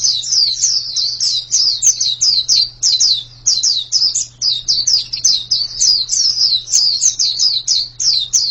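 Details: White-eye (pleci) singing a fast, unbroken run of high, thin descending chirps, about three to four each second, with a steady low hum underneath.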